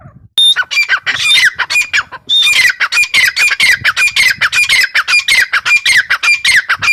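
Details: Female grey francolin (teetar) calling: a loud, rapid series of harsh, squawking notes, each with a clear tonal ring. The notes repeat almost continuously for about seven seconds after a brief pause near the start.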